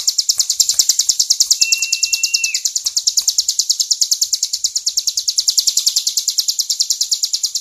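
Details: Tame hill prinia in full gacor-klowor song, a rapid, regular series of high, sharp, buzzy notes; partway through, a separate thin, level whistle sounds for about a second underneath.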